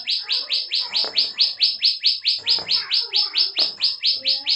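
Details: Bar-winged prinia (ciblek sawah), kept as a songbird, giving a lively 'ngebren' song used as a tutor recording: a steady run of sharp rising buzzy notes, about two per second, with faint low knocks and murmurs behind.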